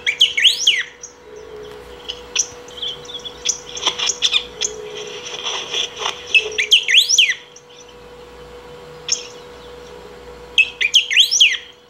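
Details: Saffron finch singing without pause to call or train, repeating quick phrases of sharp sweeping whistles, with scattered chips and a noisier buzzy stretch between phrases and a constant faint hum underneath.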